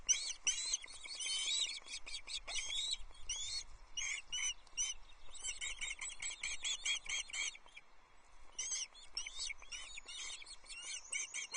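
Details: At a Loch Arkaig nest on 20 June 2024, Osprey chicks call while the male brings a tiddler trout for an early snack. Dense bursts of shrill, piping chirps with brief pauses, then further runs of high notes.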